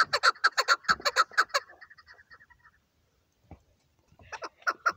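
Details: Chukar partridge calling: a quick burst of loud, hoarse chucks, then a fading trail of softer notes and a pause, with a short knock before the calling resumes.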